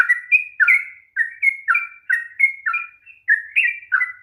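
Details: Sooty-headed bulbul giving a long, rapid 'ropel panjang' song, played to stir reluctant bulbuls into singing: a steady string of short bubbly whistled notes, each dipping then rising, about three per second, with no other sounds.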